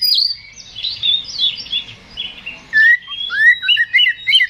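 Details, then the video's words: Oriental magpie-robin song that provokes a rival to fight: a long tangle of buzzy, mimicking chatter, then clear rising whistles and quick bright phrases near the end. "KACER GACOR NGEPLONG TARUNG !! PANCINGAN KACER PALING AMPUH BUAT MENAIKAN EMOSI KACER AUTO RESPON"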